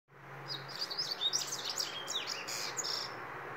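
A double-collared seedeater sings a fast, high twittering song of sharp chirps and short slurred notes, over a steady background hiss.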